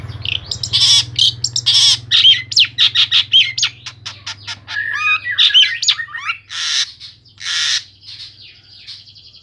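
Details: Long-tailed shrike, Central Java, delivering a varied song full of borrowed phrases: scratchy chirps, bright rising and falling whistled slurs, and coarse bursts, ending in a thin sustained whistle, with a low hum underneath.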